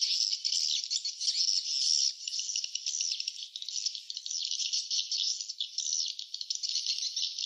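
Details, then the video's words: Nesting swiftlets produce an unbroken stream of shrill, buzzy twitters, rising and falling slightly in loudness, possibly in a small enclosed space. "suara sarang burung walet ( swiftlet sound )"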